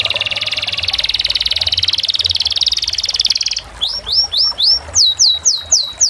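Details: Canary song: a fast, even buzzing trill for about three and a half seconds, then a series of clear swept whistled notes, each sliding quickly up and down, repeated roughly twice per second.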